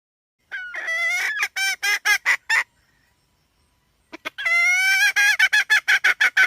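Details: Hen cackling in two bouts, each opening with a long, wavering nasal note that slides upward, then breaking into rapid harsh clucks about three per second. A quiet pause separates the bouts.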